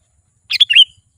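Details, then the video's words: A single quick phrase from a chatty Sooty-headed bulbul, played to draw wild bulbuls near: three or four bubbly whistled notes dipping and rising within under half a second. "SUARA BURUNG KUTILANG GACOR"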